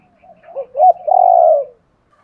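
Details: Cooing of a spotted dove, a calling style used to excite decoy doves: a soft lead-in, two looping notes, then a sustained, buzzy coo of over half a second.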